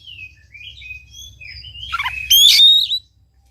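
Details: Oriental magpie-robin song played to encourage a quiet bird: soft thin whistles and warbles building to a loud rising whistle with buzzy harmonics, low hum below.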